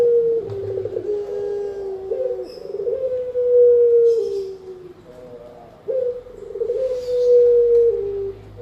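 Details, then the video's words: Spotted dove cooing, used for luring birds and as a training master: low hollow coos in drawn-out, slightly falling phrases, several phrases repeated over a few seconds with short pauses between. "Burung Tekukur-Derkuku Enak didengan Ampuh Buat Pikat dan Masteran"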